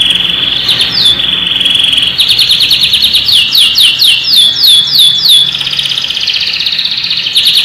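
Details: Unusual canary song meant as a model for young canaries: opens with a smooth sustained whistle, shifts to a rapid rattling trill, then a run of sliding downward notes, closing with another held trill.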